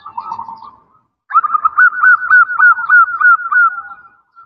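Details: Zebra dove, a female calling a male, giving a soft low warble followed by a long run of quick rolling coos repeated about three times a second, trailing off at the end.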